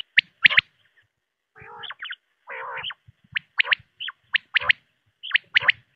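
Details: Quail call for night hunting: crisp doubled whip notes, then two grating nasal growls, then more sharp pips in pairs and triples running steadily to the end.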